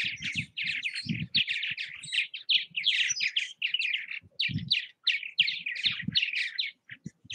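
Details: Busy chorus of purple martins at bird houses in Southwest Missouri: dense, gurgling, creaky chirps run almost continuously, with a few low knocks underneath.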